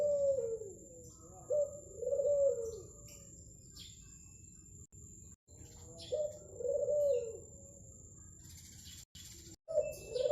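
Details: Zebra dove native to Madura, praised for a golden, melodious voice, cooing in low, mellow phrases that rise then fall, given in two bouts separated by a few seconds of quiet, with a steady high electrical hum behind.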